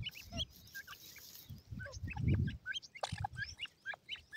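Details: White-coloured grey francolin chicks playing with feed utter scattered thin high chirps over dull low thuds and handling noise.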